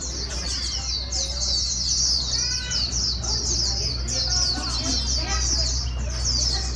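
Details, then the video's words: White-eye, a newly caught bird, being stimulated toward fast líu singing: an unbroken stream of quick high trilled notes, with scattered lower whistled chirps from other birds and a steady low hum. "Kích chim vành khuyên bổi mau líu"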